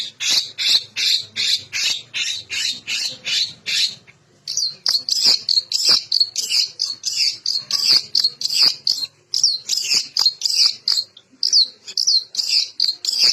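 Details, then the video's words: Long-tailed shrike in full varied song, played to stir up lazy shrikes: a long steady string of loud grating high notes, two to three per second, shifting midway into more slurred scratchy phrases. "Variasi tembakan Cendet gacor full isian Cocok untuk pancingan burung cendet macet atau malas bunyi"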